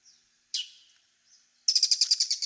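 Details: Bull-headed Shrike calling in Japan: a thin faint note, then a sharp harsh burst fading away, and a quick run of about eight loud, rasping, evenly spaced notes at the end.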